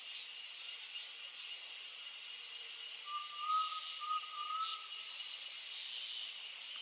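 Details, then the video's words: At sunset in the Brazilian countryside, an undulated tinamou gives a short series of three soft whistled notes, rising slightly, beneath loud continuous insect trilling. "CANTO do JAÓ (CRYPTURELLUS UNDULATUS), UNDULATED TINAMOU"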